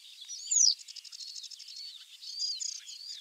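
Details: Western yellow wagtail (Motacilla flava), call.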